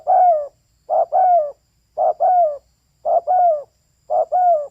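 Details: Female spotted dove cooing at close range: five evenly spaced phrases about once a second, each a quick note joined to a fuller, descending coo. The background is quiet.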